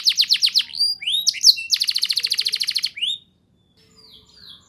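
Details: Singing canary, song used to prompt young canaries: a series of sharp descending notes, a few slurs, then a fast even roll, ending in near silence with a faint distant note.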